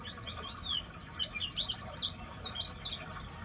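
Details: Seven-year-old pleci, a white-eye kept by a bird hobbyist, singing a rapid run of high, thin, twisting chirps packed closely together over about two seconds.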